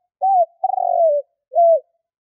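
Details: Spotted dove lure call: a low arched coo, a long rattling rolled coo sliding downward, then a closing arched coo, with no other sounds.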